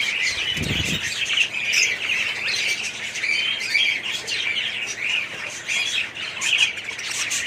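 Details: Many budgerigars kept together in an aviary colony, 2017, produce a constant squawking, chirping chatter of overlapping warbles, with one brief low thump near the start.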